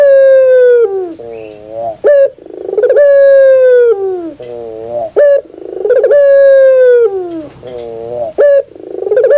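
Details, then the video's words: Puter bird (collared dove) cooing steadily: bright sustained notes with a slight downward slide, each followed by a lower buzzy purring coo and a brief clipped note, the pattern repeating roughly every three seconds. "your puter bird will definitely sound"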